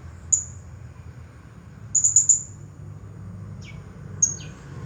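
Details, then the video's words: Champion blue-crowned hanging parrot in nonstop 'nagih hutang' style song: sparse piercing high notes, a quick burst of four sharp ticks, and two thin downward-sliding squeaks near the end, against quiet background hum. "Serindit Juara Nonstop Bunyi Gaya Nagih Hutang"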